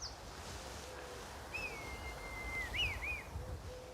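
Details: Two red kites sailing overhead above an English garden: a long, thin, slightly falling whistle, then a quick wavering trill of rising and falling notes, over a low outdoor rumble.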